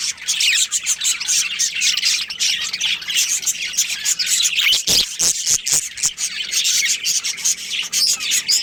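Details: Budgerigars of a breeding colony keep up rapid, scratchy high chirps and squawks in choppy bursts, broken by a run of sharp clicks around the middle.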